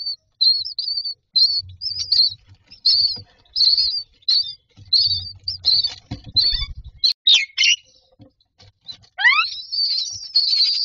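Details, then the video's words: Nestling mynas begging for food inside a nest box: a run of shrill, squeaky chirps repeated about twice a second, then a louder cluster of rising upward-sweeping squeals near the end, with a soft low hum. "Babies bird asking for food #nest #myna"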